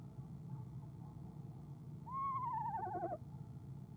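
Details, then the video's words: Female eastern screech owl in a nest box on a January evening before leaving; after quiet hum, a single trill starts with a quick upward note, then wavers downward in a rapid, bouncy quaver for about a second. "Athena ESO Athena trills"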